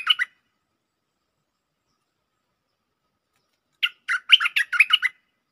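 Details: Bulbul lure song with a doubled phrase: a brief clipped note opens, then after a silence a fast bright phrase of about eight chirpy, warbled notes. The notes are tightly spaced and tumbling, and nothing else is heard.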